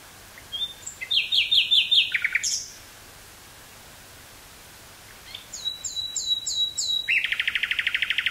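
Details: Nightingale song near Burgh-Haamstede, Netherlands, May 18th 1983, in woodland, via Sony TCD-5M portable recorder and 949-T stereo mic: a burst of quick repeated notes, a pause, then a second phrase ending in a fast, even rattle.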